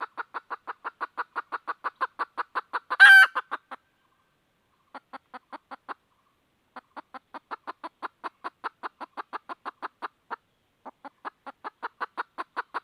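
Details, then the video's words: Red junglefowl hen calling to attract a rooster with long fast runs of short clucks. One loud harsh shriek comes early, and the clucking returns in several bouts separated by short silences. "suab poj qaib tsauj"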